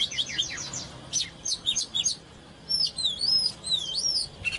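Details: Oriental magpie-robin in excited song and display, opening with fast scratchy chirps, then clearer notes and several long, looping, rising and falling whistles.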